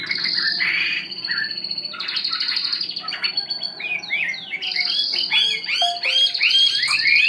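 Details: Hwamei, a wild-caught bird caged for one week, delivering rich, varied song of sustained high whistles, rapid slurred notes and quick repeated trills, with faint low hum underneath.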